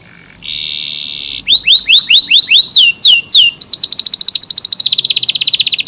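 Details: AF canary singing loudly: a steady buzzing note opens, followed by repeated upswept whistles about four per second, then a very fast pulsing trill. Long, tight bursts offered as filler song for other birds.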